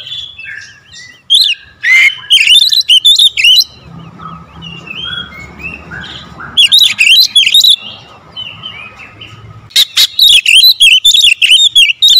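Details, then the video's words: Lure recording of a kacer (Oriental magpie-robin) in close-shot 'tembakan rapat' style: three loud clusters of rapid harsh bursts and slurred whistles separated by quieter twittering, with a thin continuous hum in the background. "PANCINGAN KACER SUPER POWER TEMBAKAN RAPAT"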